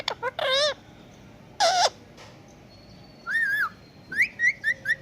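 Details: Talking pet ringneck parakeet from India copying a cat's voice: short clicks, warbling nasal cries, a wavering drawn-out call, then a string of quick rising chirps.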